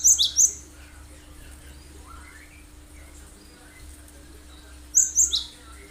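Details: Cinereous tit (gelatik batu) singing sharp high 'tembakan' bursts, used as a lure to make other birds sing and imitate it; two quick clusters of piercing notes at the start and near the end, with faint softer chirps in between.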